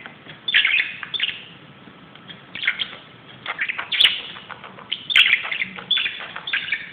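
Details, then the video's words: Pet budgie playing wildly on a closet: bursts of scratchy, chirpy warbling separated by short pauses, with a few sharp clicks. "grasparkiet doet zottekes op de kast"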